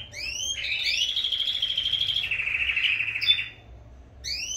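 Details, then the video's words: Several domestic canaries singing at full force, at the time their breeding pairs are being separated: a long rolling trill around mid-high pitch lasting nearly three seconds, framed by quick rising chirps at start and end, over a low background hum. "Meus canários cantando a todo vapor"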